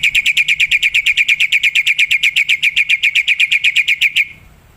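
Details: Wild black-winged myna song, offered as a bird lure: a steady, rapid series of identical bright chattering notes, about six per second for four seconds, then stopping abruptly.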